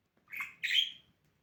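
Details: Pet budgerigar at morning play, giving two harsh, buzzy squawks in quick succession, the second longer and louder, in a quiet room.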